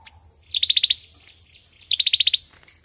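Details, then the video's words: Fighting song of an olive-backed sunbird used as a lure for trapping: two bursts of about seven crisp, high, rapidly repeated notes over steady background hiss. "sâu dừa hót đấu"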